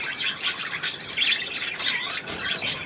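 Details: Several budgerigars indoors, recorded on 8 December 2016, chattering in a busy mix of high squawks, short chirps and warbling swept notes, with a man quietly calling a bird over.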